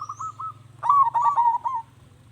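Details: Zebra dove song meant to make other doves reply. A short soft cooing note is followed by a louder phrase of quick, trilled coos lasting about a second, with a constant low hum behind.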